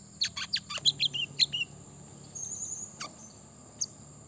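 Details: Brown-throated sunbird song, played to provoke birds into singing: a quick run of sharp, high, downward-sweeping chips over about one and a half seconds, then two isolated notes, above a steady thin high-pitched whine.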